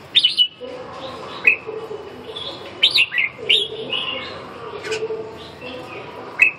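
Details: Red-whiskered bulbul testing out a rival, delivering loud clear whistled phrases with rising and falling notes in repeated bursts, interspersed with softer warbling between phrases.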